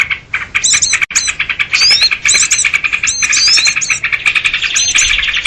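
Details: Sooty-headed bulbul giving busy excited calls played to lure small birds into traps: rapid chirping notes with scattered rising whistles, growing denser toward the middle, one sharp click early on.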